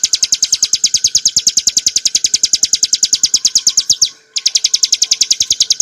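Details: Bar-winged prinia (ciblek gunung) ngebren nembak song for training cage birds: quick repeated high notes, about three each second, with a short gap after four seconds before the rattle resumes.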